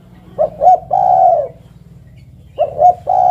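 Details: Spotted dove cooing: two short notes then a long, slightly falling coo, the phrase heard once and beginning again near the end.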